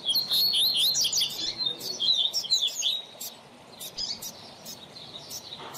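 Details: Caged double-collared seedeater teacher song for training learners: a fast run of high, twittering, slurred notes for about three seconds, then sparser sharp clicks and chips.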